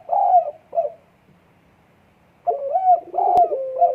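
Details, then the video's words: Spotted dove in breeding condition, recorded 12 December 2022, giving low, hollow coos: a two-note phrase, a pause, then a longer run of rolling, slightly rising and falling coo notes. "EMUSI KUAT BURUNG PUTER DEKUKUR LAGI BIRAHI"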